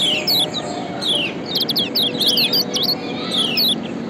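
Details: Kecial kuning from Lombok, white-eye chirps assembled to provoke reluctant birds into song. Short, piercing downward-sweeping notes appear in quick groups, densest mid-clip, set against a noticeable, fairly loud background rumble.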